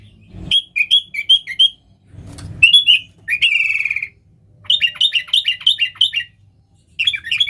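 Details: Sooty-headed bulbul, energetic Nggaruda-style singer used to call wild bulbuls: short chirp phrases, a harsh buzzy squawk lasting about half a second, then a bouncing series of slurred chirps, with occasional low thumps.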